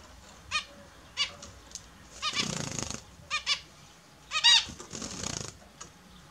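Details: Pet Australian zebra finches (Taeniopygia guttata) taking their morning bath give short, nasal, toy-trumpet beeps, about eight in six seconds, between bursts of splashing water.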